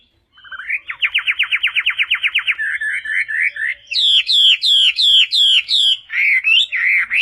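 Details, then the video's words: Hwamei singing, recorded to train pet kiacu birds: a rapid trill of rising notes, then a run of short chirps, then loud looping whistles repeated every half second. "Suara Burung Wambi Gacor Joss untuk Masteran"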